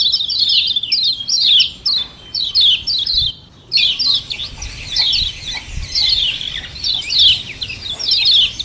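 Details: Doubled 'ciak ciak' calling of a common iora, played to provoke other birds into answering. Sharp downslurred chips come in bursts, with a brief silent gap just after three seconds before the rapid chattering resumes.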